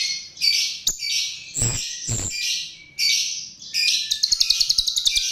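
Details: A chestnut-tailed starling's lure song: long buzzy high phrases broken by short gaps, with two sharp knocks, ending in a quick rattling series of ticks.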